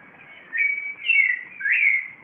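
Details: Clay-colored thrush (yigüirro, Turdus grayi), Costa Rica's national bird, singing at 4:45 a.m. in Cartago: three clear, slurred whistled notes, each about half a second, gently rising or falling, over a faint background hush.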